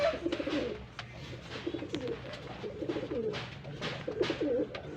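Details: Low, guttural rolling coos from pigeons being matched for breeding come in four or five phrases over five seconds, with soft tapping in the background.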